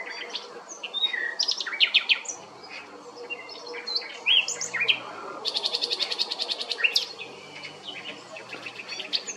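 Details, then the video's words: A common nightingale at Strázsahegy, Monori Pincefalu, Hungary, sings varied phrases of whistles and chirps, then a rapid, loud run of repeated notes, over a steady hiss of background noise. "Fülemüle éneke"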